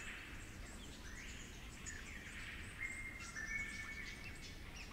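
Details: In damp New England Tablelands forest, a flute-accented Superb Lyrebird gives thin, level whistled notes in the second half, partly masked by a broad hiss of environmental noise and insect-like high sound.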